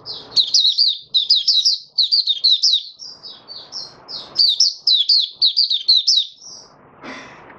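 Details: Oriental white-eye kept in a cage, on its fifth day after a monthly deworming, delivering fast, high, sweet twittering phrases of looping slurred notes in near-continuous runs, with a few softer notes and a brief low knock near the end.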